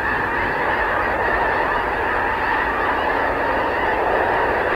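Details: A massed flock of snow geese taking off on a winter morning, 30 January 2019, in Richmond, BC, Canada, gives an unbroken roar of overlapping honks at steady high volume.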